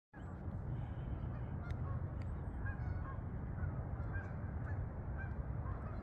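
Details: Geese flying toward the fields over meadows in Farmington, Connecticut; a flock's scattered nasal honks sound faintly through a heavy, steady low rumble, with a few sharp clicks.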